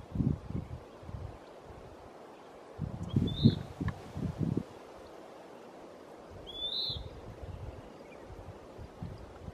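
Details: Western wood pewee at Lawrence E. Wood Picnic Area: two short, high, burry notes that slur downward, about three seconds apart, over loud low rumbling and rustling noise.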